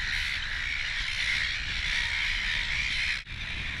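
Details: Silver gulls at a nesting colony on Mud Islands, an offshore island: a dense, unbroken chorus of overlapping harsh squawking calls from many birds, with a low rumble of wind underneath and a brief dip near the end.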